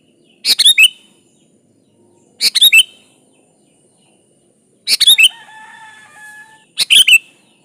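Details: Energetic sooty-headed bulbul song for luring a rival: four crisp phrases of three or four quick liquid notes each, with a brief faint whistled tone after the third phrase.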